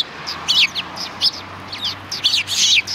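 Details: Sparrow flock by a Tenmangu shrine road, 13 December 2019: loud, buzzy chirps in short bursts, two rapid pairs and a longer rasping note near the end.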